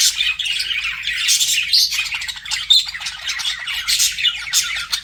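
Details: Budgerigars chatter to each other while flirting, a steady high mix of raspy squawks, clicks and thin whistles.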